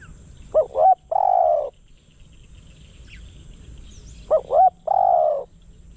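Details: Decoy spotted dove calling to attract wild doves. Two phrases are separated by a long silent gap. Each has two quick coos and then a long, husky, level-to-falling croo.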